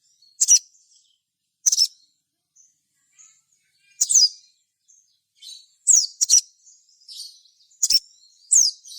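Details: Sogon used as a lure to make other sogon sing. Single sharp, very high notes sweep downward, each isolated and spaced one to two seconds apart, occasionally doubled.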